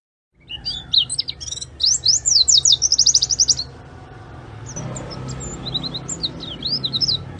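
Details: Oriental white-eye delivering a burst of high, sharp chirps and quick twittering trills, then continuing more softly against a louder rumbling background noise in the second half.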